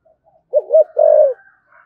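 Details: Spotted dove of the 'thổ sấm' voice type: a single phrase of two short rising coos followed by one long, full, slightly falling coo, with a faint thin tone trailing behind.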